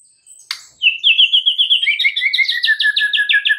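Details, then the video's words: White-rumped shama singing in the morning: after a sharp click, a fast rolling trill of bright paired notes that splits into two falling and rising lines, repeated many times per second. "mUrai MACET jadi NYAUT GACOR di PAGI HARI"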